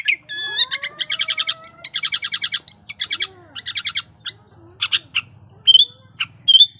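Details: Sooty-headed bulbul in breeding condition, lively song to provoke silent bulbuls: long fast trills of bubbly repeated notes, then separate bright chirps and a rising whistle, a faint low rumble behind.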